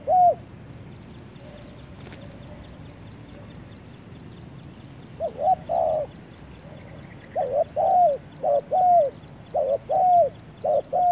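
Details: Spotted dove in a forest: one coo, then a long quiet spell with a single knock, before a run of short hollow coos resumes in irregular pairs toward the end.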